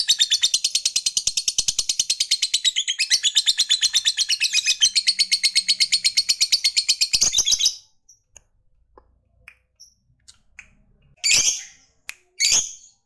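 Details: Lovebird fighter pouring out a long ngekek to provoke rival males: rapid, raspy high chatter for about seven and a half seconds, then near silence with soft clicks, ending in two short harsh chirps.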